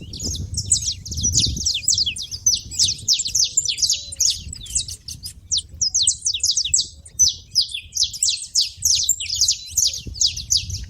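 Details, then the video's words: Saffron finches gathered at a feeder produce an unbroken chatter of sharp, high chirps and flicked notes, rising and falling in loudness, over a faint rumble. "canário da terra fazendo barulho na seva"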